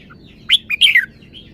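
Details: Red-whiskered bulbul singing a phrase praised for its good style: a quick run of four bright, chirpy whistled notes, the last sliding downward, over a quiet background.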